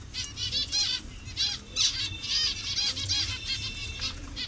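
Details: Many zebra finches of different colour variations call together in a colony in Bangladesh: short nasal toy-trumpet beeps, repeated rapidly and overlapping, with brief soft gaps between bursts.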